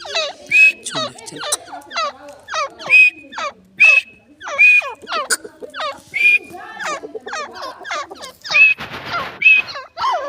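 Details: Grey francolin, the teetar, calling in a village setting: a steady series of loud, harsh repeated phrases, each a cluster of sharp notes ending in a short high squeal, about once per second, with a noisy burst near the end.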